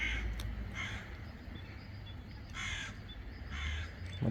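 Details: Rainy morning with crows cawing alongside ducks: repeated rough, grating caws, four or five separate bursts, set against the constant low hiss and rumble of falling rain.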